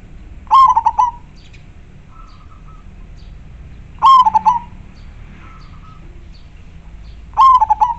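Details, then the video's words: Local zebra dove of the majapahit type, singing actively and very clearly: three cooing phrases about every three to four seconds, each a bright opening note then quick stuttered coos, soft tonal notes between, low hum beneath. "Perkutut lokal gacor sangat jernih majapahit suara nya bikin adem"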